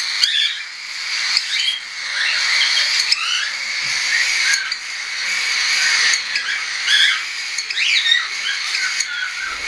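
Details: Hand-tame juvenile cockatiels, some still not weaned, in flight on 10 September 2012; a steady stream of overlapping squeaky chirps and upswept whistled notes over a hissy background, interrupted by a few sharp knocks.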